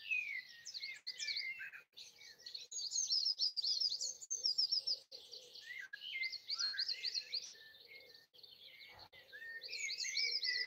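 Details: Dense, continuous early-morning birdsong on Easter Sunday 2020 in trees by a house in Broadford, Kildare, Ireland: high, rapid chirps and trills from several overlapping birds, barely pausing, over a faint low hum.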